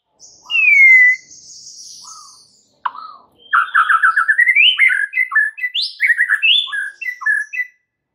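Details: White-rumped shama in vigorous song with mimicked filler phrases, meant to spur silent, stressed shamas: one long clear down-slurred whistle, a quiet gap, then a rapid stream of varied twittering, jumping notes.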